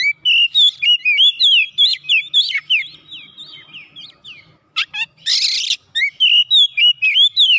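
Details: An Oriental magpie-robin sings in full, vigorous form, seeking an opponent: an almost continuous stream of loud, varied whistles and quick chips, with one harsh, grating burst midway before the rapid whistling resumes.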